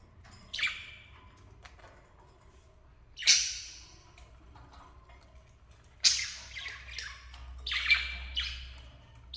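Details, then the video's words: Lovebird pair calling in sharp, high screechy bursts spaced a few seconds apart, some doubled, over a quiet background with a low hum. "Enjoying a Charming Love Birds Pair"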